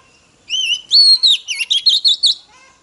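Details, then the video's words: Female Oriental magpie-robin singing to stimulate males: a short phrase opening with two clear level whistles, then a quick run of six or seven loud, looping, slurred whistled notes over about two seconds. "Choè than mái kích trống hay nhất"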